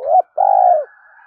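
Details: Lure call of a spotted dove for teaching young caged doves to coo: a short looping note, a brief pause, then a long, even, mellow coo that fades into a soft hum.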